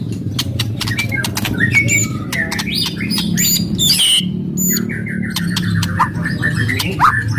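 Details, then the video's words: White-rumped shama singing aggressively to provoke other birds: sharp clicks and short whistled slurs, a harsh burst, then a long series of descending warbled notes, above a steady low hum. "KRETEKAN KERAS & TEMBAKAN MURAI BATU FASTOL.//, ASLI SUKSES MERANGSANG EMOSI"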